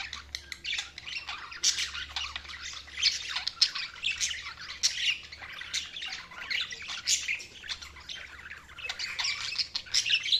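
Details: Flock of budgerigars chirping nonstop for ten seconds, rapid scratchy warbling notes and sharp squeaks overlapping, with a constant low hum behind.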